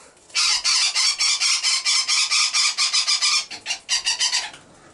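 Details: Feisty young Great Spotted Woodpecker, recently molted and carrying very little fat, handled for ringing at Sandskär Bird station on an island near Haparanda; harsh, sharp high notes in a fast, uneven volley for about four seconds.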